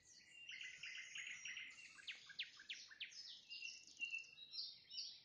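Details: Nightingale singing at sunset: short runs of rapidly repeated high notes give way to sharp downward-sweeping whistles and buzzy flourishes, with a faint background hiss.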